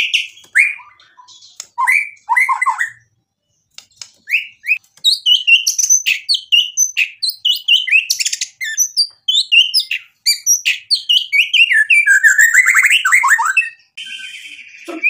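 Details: White-rumped shama singing continuously with many imitated phrases, used as a lure to excite other shamas: rapid series of sharp, varied whistles, chips and slurred notes, dense and rising toward the end.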